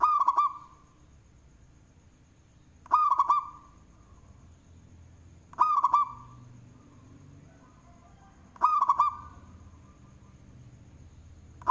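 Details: Local zebra dove singing loudly, a bird suited as a lure for others. Four short rolling coo phrases of rapid looped notes with crisp starts come roughly every three seconds, with a faint low rumble between them.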